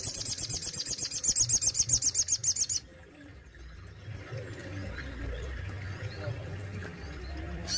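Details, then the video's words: Kept sogon in Indonesia, songbird-hobby recording, singing the styles called besetan and tembakan. A fast, high, sharp run of repeated notes about four per second for nearly three seconds, then stops. Faint low background rumble follows. "SOGON ISTIMEWA ,BESETAN DAN TEMBAKANYA WOW BANGET"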